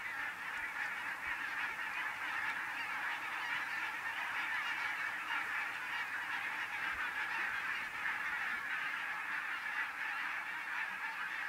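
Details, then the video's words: Thousands of Arctic barnacle geese on autumn migration, stopped near a home in central Finland: a dense, unbroken chorus of overlapping yapping honks forming a continuous roar. "Thousands of Migrating Arctic Barnacle Geese"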